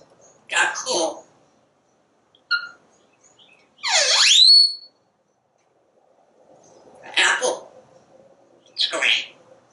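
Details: Porch parrot watching squirrels and birds through a screen: short word-like bursts, a brief tonal chirp, a loud looping whistle that dips then climbs, and two more clipped speech-like syllables.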